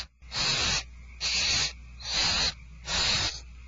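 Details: Barn owls at Starr Ranch being fed on 2/1/12 make four even, rasping hisses, each about half a second long and coming regularly about every 0.8 seconds, with a faint low hum throughout.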